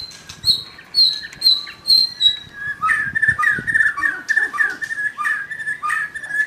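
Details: Young wild white-rumped shama from the forest singing loudly: a run of clear repeated whistles, then a lower sequence of varied warbled notes alternating two pitches.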